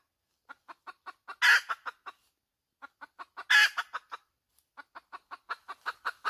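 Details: Hen producing two cackle phrases, each a run of sharp clucks peaking in a grating, prolonged squawk, followed by a fresh, quickening volley of clucks.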